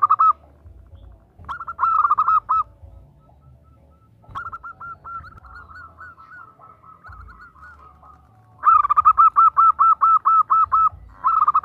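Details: Zebra dove, a female calling a male, giving bursts of rapid, evenly spaced cooing notes separated by quieter gaps, with a softer run of slurred notes in between and a low steady hum in the background.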